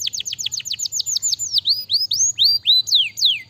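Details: A canary sings loud rapid down-slurred notes, about four per second, then slower varied swooping whistles that rise and fall, with a faint low hum behind.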